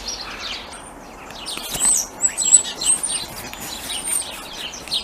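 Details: Common starling, a male with iridescent plumage, sings on Christmas Eve in cold winter light near hazel trees at sunset, sparrows nearby: a rambling mix of thin, very high whistles and scratchy chirps over soft hiss.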